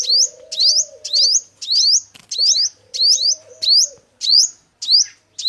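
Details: Five-coloured sunbird male, kept as a lure bird for trapping, repeating thin rising twittery notes at a steady quick pace; a low humming coo sounds in the background.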